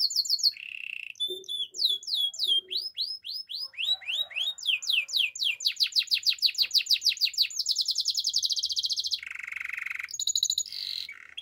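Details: A Belgian canary singing in the morning delivers sweeping whistled slurs that quicken into a dense chatter of rapid notes. A lower rolling trill and a few bright high notes follow, with a faint low sound early on.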